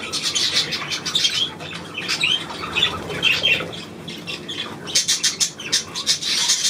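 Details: Budgerigars recorded on 9 February 2024, giving dense, scratchy chatter with short squawks and chirps layered over one another, swelling and fading in bursts across the clip.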